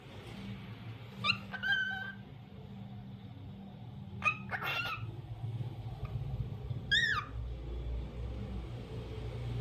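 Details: Daily chatter of a lutino cockatiel: three groups of quick harmonic chirps, one a wavering downward-curving note, separated by a few seconds, with low household rumble underneath.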